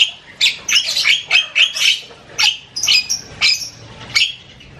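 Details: Javan myna chattering loudly with varied sounds, delivering a dense stream of harsh, grating, squawky notes roughly three or four per second, each scratchy and metallic, with brief gaps between phrases.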